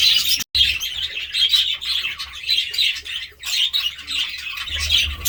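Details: Continuous high twittering and squeaky chirps from budgerigars, broken by a brief cut near the start, over a low droning hum.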